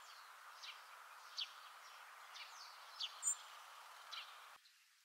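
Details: Hawfinch call notes and subsong: thin, sharp ticking notes, high and clipped, spaced irregularly about every half second to second over a steady low hiss.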